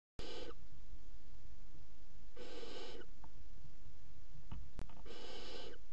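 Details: Three young barn owls in a nest box, all eating a mouse at once at 01:30 at night on 30 June 2016. They give harsh, hissing, snore-like bursts about half a second long, spaced a couple of seconds apart, with faint clicks between.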